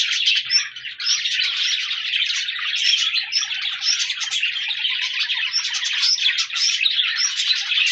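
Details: Several budgerigars chatter on 14 January 2024 in a steady, clean flow of twittering chirps and high squeaky whistles, the background otherwise quiet.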